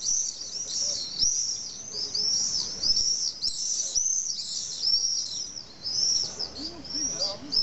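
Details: Common swifts screaming at their nesting site, a tall retaining wall with drainage holes on a hill in Nice, France, holding about twenty pairs: a steady stream of piercing, high, downcurved screams from several birds, near-continuous throughout.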